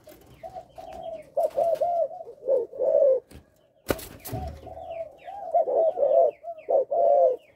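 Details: Spotted Dove, a Malaysian-line breeding male kept in a cage, giving stuttering coos that open with three notes: rounded, mellow hoots in uneven bursts, broken by a loud knock midway, then resuming.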